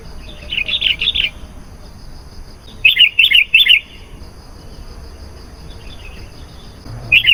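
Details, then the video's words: Sooty-headed bulbul song used to lure wild bulbuls: repeated bubbly phrases of three quick warbled bursts, sung in groups with pauses of a second or more between, plus one short closing phrase; low steady hum behind. "SUARA BURUNG KUTILANG GACOR. AMPUH MEMANGGIL KUTILANG LIAR.."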